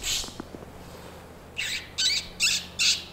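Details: Two Boreal Chickadees in a snowy bog at Sax-Zim Bog on a bright, chilly December 14 morning, about -10 F windchill: a run of four hoarse, nasal, buzzy notes, each about a quarter-second, after a brief hiss.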